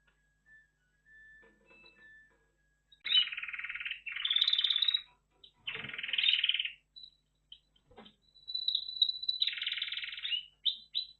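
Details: Red factor canary singing: after a few faint soft notes, dense rapid trills come in bursts of one to two seconds with brief pauses between them, some rolling and some sharper and higher, with no other sounds.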